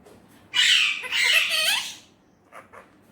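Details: Indian ringneck parrot talking in Urdu/Hindi, one long harsh, breathy phrase of about one and a half seconds, followed by two faint short notes.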